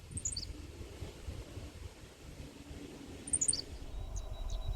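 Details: Henslow's Sparrow calling nearby in a small patch of tall-grass prairie in a southwest Iowa conservation area gives its tiny, high two-noted 'silik' twice, three seconds apart, over low wind; a faint insect-like whine follows.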